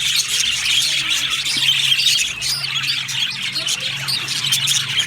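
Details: Happy budgies in an aviary chirping together, busy overlapping tweets and sharp squawks, some clear whistled notes standing out above the crowded high chatter, low hum beneath.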